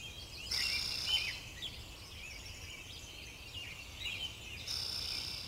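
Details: Rufous-sided towhee on Vancouver Island giving brief, sharp high calls and a few slurred notes rising and falling, over a steady hiss of background noise.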